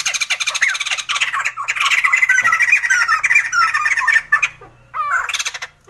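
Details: Sumatran laughingthrush in loud chattering, squawking song: dense harsh notes with laughing, slurred phrases, a brief pause near five seconds, then a final burst of rising notes.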